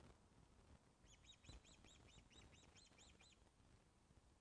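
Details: Webcam recording at a Loch of the Lowes osprey nest, 24 August 2012, 14.10, fish delivery: a fairly soft run of around twelve upslurred-then-falling whistles, evenly spaced, over low background rumble.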